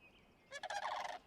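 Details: Whooping cranes flushed at swampy ponds just outside Yellowstone National Park after rain under cloudy skies, giving a brief rolling burst of loud, rich, rattling trumpeting notes under a second, after a faint high tone.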